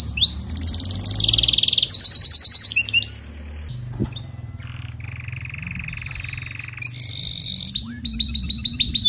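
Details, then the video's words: Canary song played to help a weak singer: high rattling trills, a click, a long lower buzzy roll, then a bright trill and repeated sweeping whistles, with a low background hum. "إذا لديك كناري ضعيف في تغريد سمعه هذا الغناء وشاهد الكناري ماذا يفعل"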